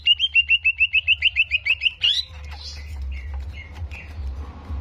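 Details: Greater green leafbird in a contest-simulation recording played to provoke aggression: a rapid string of about fifteen identical sharp whistled notes, then a rising squeal and scattered softer calls.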